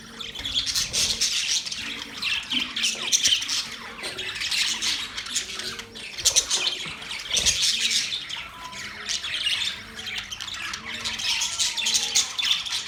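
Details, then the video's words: A group of budgies chirps and squawks without pause, with bright, twittering bursts overlapping densely and loudness swelling and fading in waves throughout. "Beautiful parrot sound | budgies relaxing sound"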